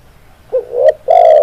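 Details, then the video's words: Spotted dove cooing as a trapping lure: a soft rising introductory coo, a swelling middle note, then a long loud steady coo after a short gap, mellow and low-pitched. "Suara Tekukur Pikat"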